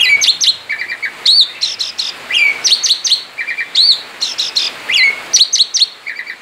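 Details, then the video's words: Male Asian pied starling outside its cage singing ngerol, a steady stream of high, sharp chirps and quick upswept whistles, short repeated motifs returning roughly every second in a bright, rapid, tinkling pattern. "Ngerol di luar sangkar jalak suren jantan gacor"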